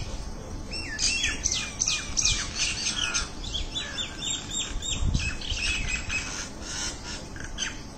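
Mynas chatter in a busy stream of harsh squawks, clicks and whistled notes, several birds overlapping continuously, over a low background rumble.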